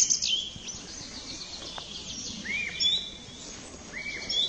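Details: Thrush calling outdoors: thin, high chirps and short whistled notes, some sliding down and others rising, scattered unevenly over steady background hiss with a faint rural ambience.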